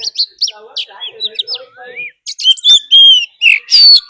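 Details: Oriental magpie-robin decoy bird singing a fighting song, mixed with a wild female's call, used to provoke other birds; varied clear whistled notes and slurred upward sweeps, bright high phrases with short gaps, ending in louder sustained whistles.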